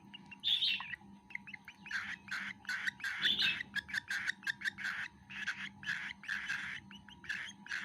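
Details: Cockatiel baby eating food, fast series of short chirping begging notes, several per second, continuing throughout with little pause.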